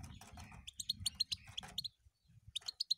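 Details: European goldfinch song in short bursts of bright, twittering, tinkling chirps and trills, pausing briefly midway before resuming, with faint low rumbling noise underneath.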